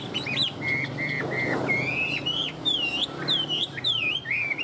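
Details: Caged Chinese hwamei, described as fired up, sings loud clear whistled notes: a rising lead-in, several level held whistles, then looping rising-and-falling phrases, with faint room hum behind.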